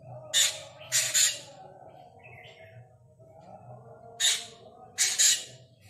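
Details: Black drongo (Kajalapatri) calling with harsh, scratchy squawks in pairs: a single burst, then a doubled one, a pause of about three seconds, and the same single-then-double pattern again, over a constant low electrical-sounding hum.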